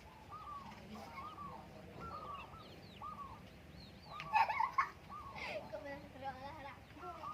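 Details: Morning zebra dove song on the Menoreh hillside: soft, rounded cooing notes repeated in short bursts over steady rural background noise, with a few sharper calls from other birds near the middle.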